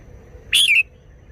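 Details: Red-whiskered bulbul uttering a single loud, rich warbled note with a downward slur at its end, lasting about a third of a second, against a quiet background.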